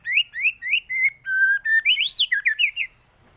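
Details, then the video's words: White-rumped shama singing a varied phrase meant for training other songbirds: rhythmic whistled notes, a long flat whistle, then a quick rising and falling flourish of about a dozen notes. "MURAI BATU gacor full isian varasi paling cocok untuk masteran burung cepat bunyi gacor"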